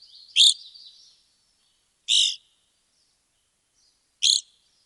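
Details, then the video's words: Evening grosbeak in Wisconsin giving three loud, burry, high call notes about two seconds apart, with a faint chattering trail after the first and a quiet background. "Bird Sounds - Evening Grosbeak"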